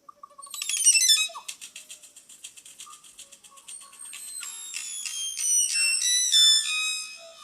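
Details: Crested oropendola song, possibly slowed to a quarter speed: a bright burst of stacked whistles, a quick rattling stutter, then a run of falling, ringing whistled notes about twice a second.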